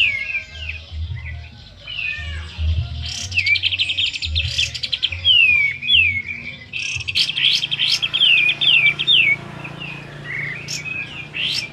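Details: A home-kept sooty-headed bulbul, in full song and used as a lure, gives a quick string of sharp downslurred whistles and short trills, with a low throbbing hum behind during the first seconds.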